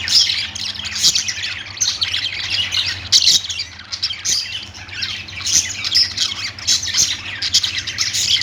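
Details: Continuous budgerigar chattering: many overlapping squawky chirps and sharp clicks in bursts, with occasional bright whistled notes standing out and a low steady hum beneath.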